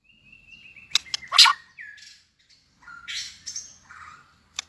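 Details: White-rumped shama singing competitively, newly in breeding condition: a thin level whistle, loud rasping bursts and scratchy noisy phrases, ending in a sharp click, with faint low background rumble.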